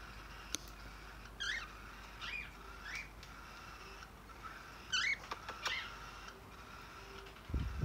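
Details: Cockatiel chick playing with toys: soft, short chirps that rise and fall, given singly at irregular gaps, with a pair of brighter chirps near the end, over quiet background hiss and a few sharp clicks.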